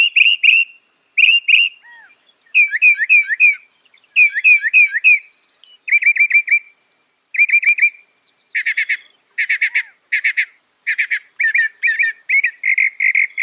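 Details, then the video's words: Northern mockingbird singing loudly and rapidly, a mimic of other birds; short whistled and slurred phrases, each repeated three to five times in quick bursts before switching to a new phrase, later dense buzzy chattering notes; no other sounds. "Masteran Burung Kicau Mockingbird Gacor - Mockingbird Bird Sound"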